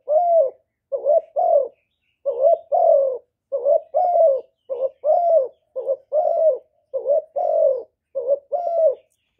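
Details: Spotted dove cooing and calling, recorded directly without background noise to stimulate male doves: a long, even series of paired coos, a brief note then a longer falling one, repeated roughly every three-quarters of a second.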